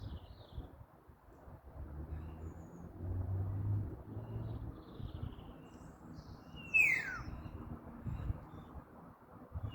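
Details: Common starling giving a single sharp falling whistle late in the recording, against a steady low rumble like passing traffic.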